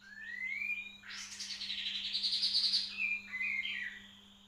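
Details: White-rumped shama singing, a recording meant for training other birds: rising whistled notes lead into a long, rich, high warbled phrase, then a few stepped whistles, with a constant low hum.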